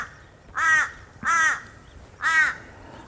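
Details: Torresian crow calling in the morning at Buckleys Hole Conservation Park, a lake on Bribie Island near Brisbane, heard in the background: three harsh, nasal caws about a third of a second long, under a second apart, over quiet background.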